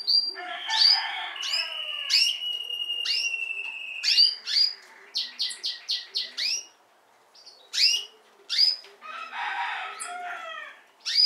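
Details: Young Timbrado canary chicks of this season chatter in rapid, high, down-slurred chirps and rasping buzzy bursts, with one long, steady whistled note running through.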